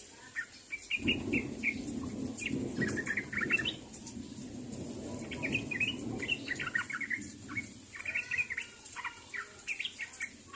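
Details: Sooty-headed bulbul calling out to companions: bursts of quick, liquid chirps and chattering notes come in groups, pausing briefly between them, over a muffled low background hum.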